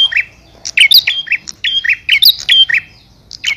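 A male bar-winged prinia calls to the female in quick bursts of sharp, high, squeaky chirps and twittering notes, several phrases in a few seconds.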